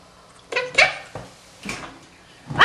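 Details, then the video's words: Monk parakeet, a male pet, practising words: a string of five breathy, clipped syllables with pauses between, the last one loud and rising in pitch. "Quaker Parrot Frank Frank talks"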